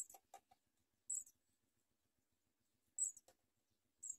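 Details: House sparrow nestlings begging while their mother feeds them, the young biting at her; short, very high squeaky bursts come in uneven clusters about once a second, with faint lower clicks between them.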